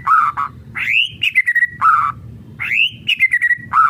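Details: Kretekan song of a white-rumped shama, played to rouse other shamas: a short low chirp pair, then a loud rising whistle sliding into a run of quick descending notes, the phrase given twice.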